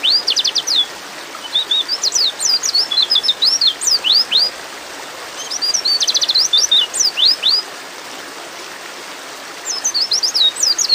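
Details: Female white-eye calling to a male while in breeding mood. Quick bursts of thin, high chirps slide up and down in runs about a second long, with pauses between them, over a faint steady hiss.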